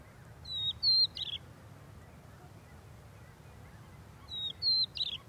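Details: A crested lark (Galerida cristata meridionalis) at Angelochori lagoon, Greece, in April 2024 gives two short bursts of three clear, high, slurred whistled notes, about three and a half seconds apart, over a faint low rumble.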